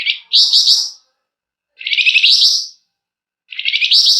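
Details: Flamboyan bird singing vigorously in long, tight, emotional bursts, meant to prompt other birds to sing: three harsh, buzzy, chattering trills, each about a second long, with quiet gaps between.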